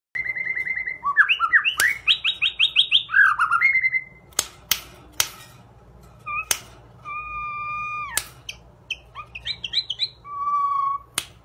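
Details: White-rumped shama, described as an expensive class bird, singing a varied song of rising and falling whistled phrases, rapid repeated notes and clean sustained tones, with scattered sharp clicks and knocks between phrases.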